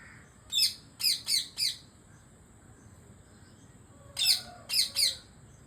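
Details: Indian parrot eating papaya and chirping in two bursts of shrill, harsh squawks, four quick notes and then three, each burst closely spaced, with faint lower calls behind.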